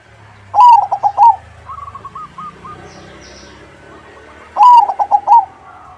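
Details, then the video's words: Zebra dove (perkutut crossing) singing to draw answers from other doves. Two loud, bubbling phrases of about five rapid coos frame a quieter string of soft coos from a farther bird. "Suara Burung PERKUTUT CROSSING Gacor, Paling ampuh untuk pancingan -Semua perkutut nyaut."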